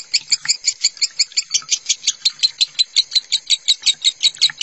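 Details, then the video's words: Lovebird in minor-style song used as a master for other lovebirds, with water sound therapy: regular high chirps, close to three per second, clear and steady. "Suara lovebird minor masteran lovebird konslet"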